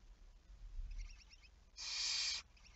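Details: Barn owl at 23:34 on 11 May 2019: faint rapid ticking, then one long, intense, breathy screech lasting over half a second.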